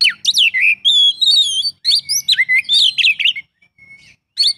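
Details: Full isian song of an Oriental magpie-robin (kacer): bright, rapidly changing whistled phrases with downward slurs and a few steady high notes. A short quiet spell comes before a final phrase.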